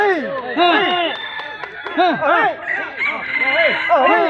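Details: Red junglefowl at a crowing contest where the bird crowing most often within a judged time limit wins; several overlapping harsh arched crows in rapid succession, loud and continuous.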